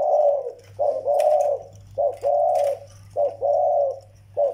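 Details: Zebra doves, a young Malay bird beside an old Vietnamese decoy: paired coo phrases, a short note then a longer rolling one, repeated about every second and a half over a low hum.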